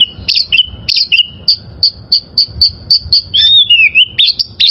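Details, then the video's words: Song of a wild-caught oriental magpie-robin for training caged birds: steady high whistled notes repeated about three per second, then a sweeping falling-rising phrase. "Masteran Suara Burung Kacer Liyar...!!!"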